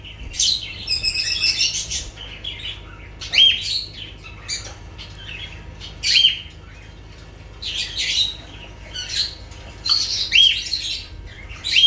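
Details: Lovebirds giving shrill, high-pitched squawking calls in short bursts roughly every one to two seconds, separated by brief pauses, over a low steady hum.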